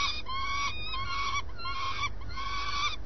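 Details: Swift calling at the nest at first light, three drawn-out nasal calls, each slightly arched in pitch, separated by short gaps, with a low steady hum underneath.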